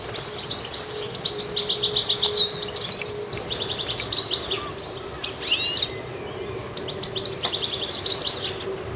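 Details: Active goldfinch repeating bright phrases of rapid, evenly spaced high chirps, several in sequence with short pauses and an occasional sharper call, over a soft low hum.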